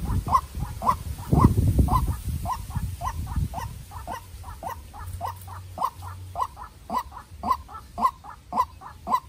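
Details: White-breasted waterhen, a farm-raised decoy bird set against a wild bird in a fight: short mid-pitched notes repeated about twice per second, with low rumbling handling noise during the first few seconds.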